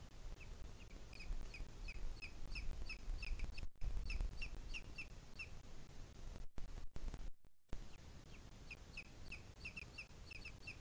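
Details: A booted eagle in the Sierra de Guadarrama, recorded 2 July 2021 at 17:53, gives two bursts of shrill, high whistled notes, several per second, over a constant low rumble of wind.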